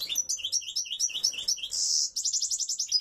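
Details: European goldfinch in strong song, a quick series of rising and falling twittered notes, a brief harsh buzz, then a fast run of tinkling notes.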